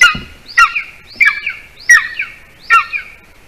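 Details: Golden eagle at a camera-watched nest in Latvia at 8:42 p.m., as the adult male brings a larger bird as prey to a hungry chick; loud, piercing chirps with bright overtones, each slurring downward, repeated about every 0.7 seconds.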